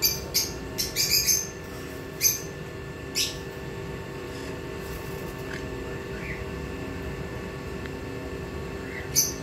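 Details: Pied conures, including pied blue conures and sun cheek conures: sharp, short chirps clustered rapidly in the first second and a half, then scattered single calls spaced a second or more apart over a steady low background hum.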